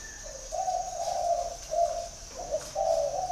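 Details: Spotted dove at a Ba Vì, Hanoi dove garden, delivering a rolling run of low hollow coos, one long note followed by shorter ones, nearly continuous with a brief break. A faint high whine is in the background.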